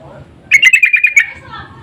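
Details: Sooty-headed bulbul lure call, loud and insistent, meant to draw answering birds: one fast burst of about seven bright chirps lasting under a second.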